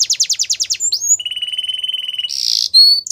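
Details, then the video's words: Belgian canary singing for canary training: rapid falling high notes, then a sharp upslurred whistle, a long fast trill held on one pitch, a harsh buzzy burst and a thin high whistle, clean and without background noise. "Belgian Canary Song That Fascinates Everyone !! Canary Training"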